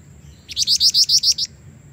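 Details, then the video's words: Calling female jingjing batu, the black-winged flycatcher-shrike, used to lure a male; a crisp run of seven high, clear piping notes evenly spaced in about one second, with a low hum beneath. "jingjing batu betina gacor pancingan jantan"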